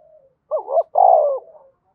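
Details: Spotted dove from Đồng Nai, Vietnam, whose calling and urging coos are used to lure wild doves. A faint trailing note leads into a double-noted coo, then a longer, steady, low coo that fades away, with nothing else audible.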